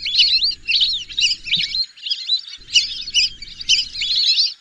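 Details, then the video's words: High twittering whistles from whistling ducks, tumbling in quick clusters with brief pauses between them. The calling is continuous and sounds like several birds. "whistling dack call/sound /বালি হাসের ডাক/শরালী পাখির ডাক"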